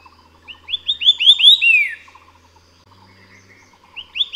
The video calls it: 白耳畫眉/White-eared Sibia(Heterophasia auricularia)-singing